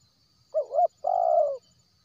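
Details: Single lure phrase from a wild spotted dove, used for attracting shy birds: a quick two-part coo, a brief gap, then a long mellow note easing downward. A faint high hum continues throughout.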